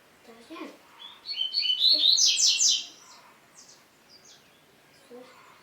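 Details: Double-collared seedeater (coleiro) song used to stimulate other males: a bright, rapid burst of high twittering, buzzy notes lasting over a second, with fainter scattered sounds before and after.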